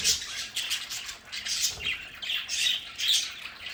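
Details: At a home play area, a group of pet budgerigars chatters continuously with scratchy warbles, sharp chirps and brief squawks packed closely together.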